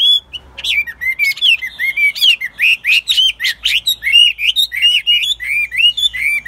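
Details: Caged Chinese hwamei, a lively singer tested for fighting, pouring out a loud continuous song of slurred whistles around the upper-middle register, rapid rising and falling notes strung together with short buzzy accents.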